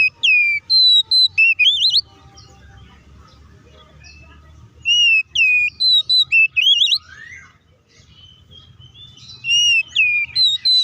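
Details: Oriental magpie-robin in full fighting-mode song, used to provoke other magpie-robins; loud clear whistled phrases with rising and falling slurred notes in three bursts separated by short pauses, low background hum.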